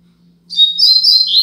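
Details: Caged double-collared seedeater of the Braddock song style, used as a tutor to teach young birds, giving a brief high whistled phrase that slides and trills after a short silence; faint low hum underneath.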